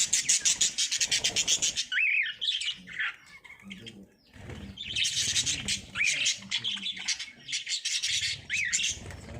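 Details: Lovebirds during breeding, giving dense, harsh chattering and rapid squeaky chirps in bursts, with a few short rising-falling whistled notes; low hum and faint background noise underneath.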